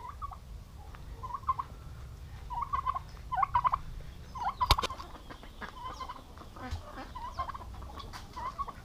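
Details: Male domestic turkeys from a turkey-raising farm in Paraná, Brazil, said to fight when kept together: a series of short, fairly distant gobbled bursts repeated roughly once a second, over low background rumble.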